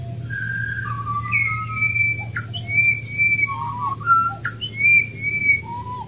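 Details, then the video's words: Australian pied butcherbird, wild, pours out a varied run of pure whistles: held notes, quick upward slides and sharp clicks, repeated in short phrases over a steady low hum. "Australian pied butcherbirds Excellent singer!"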